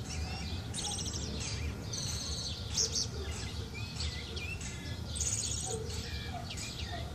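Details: Thrush singing and calling to another bird outside: short slurred whistles mixed with high, buzzy trilled phrases repeated every second or so, over a steady low rumble of background noise.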